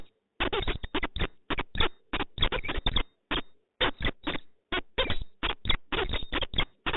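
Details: Pair of peregrine falcons meeting in Poznań, Poland, on 4 January 2023: harsh, rasping broadband calls in quick irregular bursts, some clustered into rapid chatters, with short pauses between series.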